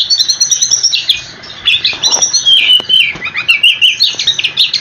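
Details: Oriental magpie-robin in loud rolling song meant to make other magpie-robins answer: a continuous flow of varied whistles, slurred notes and chattering trills with barely a pause.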